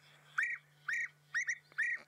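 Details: A played recording of European bee-eater calls, birds also heard flying high overhead on an evening game drive on December 4, 2016, which the guide links with coming rain: four liquid, rolling 'prruup' calls about half a second apart over a low hum.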